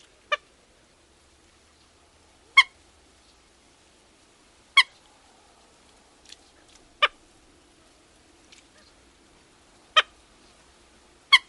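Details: Common gallinule in Wisconsin uttering short, sharp, isolated kek notes spaced about two seconds apart, with near silence between them.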